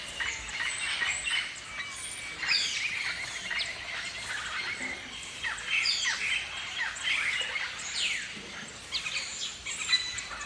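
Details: Rasping, downward-slurred squawks from Galahs, Australia's pink-and-grey cockatoo, scattered irregularly through about ten seconds, overlapping one another amid a steady wash of high-pitched chirping from surrounding birds.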